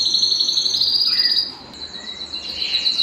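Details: Belgian canary song used to excite singing and bring hens into breeding condition: a steady high trill, a brief dip and softer passage midway, then the bright trill returns.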